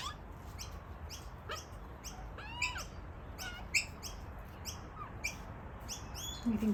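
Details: Two young Australian magpies brought by their parents in search of food give repeated squeaky, downslurred begging calls in rapid overlapping bursts while the siblings squabble to be fed, over a low background rumble, as rain starts.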